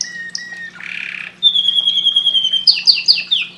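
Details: Singing canary giving a varied phrase: short clear whistles, a buzzy burst, a long sustained high whistle, then quick descending chirps, over a faint low hum.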